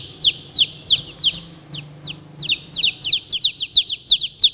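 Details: Chicken chicks give clear, shrill descending peeps in quick succession, a brief lull midway, then a faster run of closely spaced chirps.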